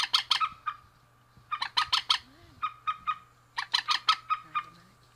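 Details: Rails, male and female, in three harsh rattling bouts. Each opens with rapid raspy strokes and trails into softer spaced notes, with a low hum in the background.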